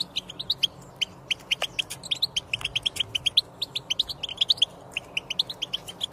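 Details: European goldfinch song used to coax silent goldfinches into singing: a steady stream of short, high, tinkling chirps repeated several times a second, crisp and twittering throughout.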